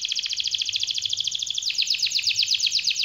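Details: Canary delivering a long rolling 'gacor' song: an unbroken rapid trill of repeated notes, changing midway to a slightly lower, louder rattling pattern.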